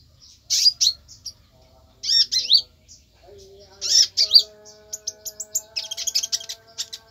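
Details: Konin singing harsh, squawky high phrases followed by a quick string of thin, sharp chirps, with a faint hum in the background.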